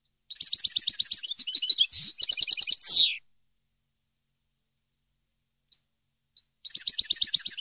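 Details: European goldfinch song used for training captive birds: rapid strings of bright, tinkling high notes with a buzzy downward sweep, a long silent gap, then another fast twittering burst.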